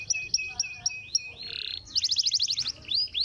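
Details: Canary performing a stimulating song: a run of short repeated high chirps, then a buzzy burst and a quick series of rapid falling whistled notes, ending in brief upslurred phrases.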